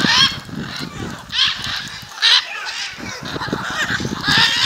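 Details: Gathering of macaws near a home at Jaumave, Tamaulipas, February 2015; grating, nasal screeches come in irregular bursts roughly every second, with a low background murmur between calls.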